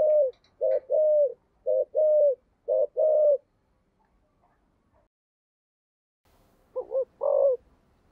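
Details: Low two-part coos from a spotted dove used as a decoy, 'thổ' voice style, five quick pairs in a row, a pause of near silence, then one wavering full phrase.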